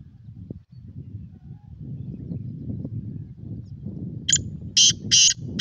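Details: Black francolin giving a short burst of three harsh, grating, high notes near the end, after several seconds of low rumbling background noise.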